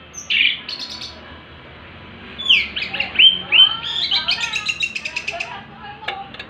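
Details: Afternoon song of an excited orange-headed thrush: a loud whistled note, then slurred descending whistles followed by a fast chattering run of repeated high notes, with a faint clicking sound near the end.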